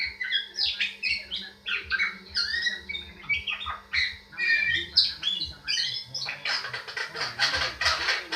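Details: Hill myna giving loud, ringing whistles: a rapid stream of varied chattering, whistled and squawking notes, dense and continuous, growing harsher and noisier toward the end.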